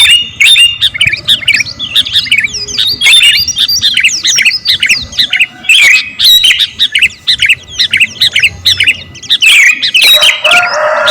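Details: Energetic song of a sooty-headed bulbul, local type kutilang garuda, played for training captive birds: an unbroken, busy stream of bright, swooping chirps lasting around eleven seconds.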